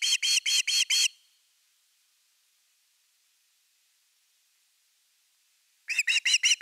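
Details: Finnish nest-camera Osprey at nest #3, evening fish, 30 August 2021, giving two bursts of five sharp, high, whistled notes, one at the start and one at the end, with quiet between.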